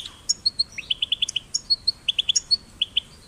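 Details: Spaced, clear chirps and thin whistled notes from young European goldfinches, caged or wild, in small groups of three to five, some slightly descending; meant to prompt singing, over quiet background.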